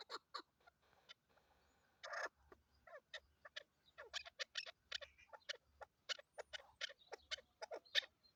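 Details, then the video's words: Female chukar partridge used as a hunting decoy, calling with fainter, uneven clucking notes in bursts, interrupted by a brief rustling noise and low background hum. "chakor bird ki awaz"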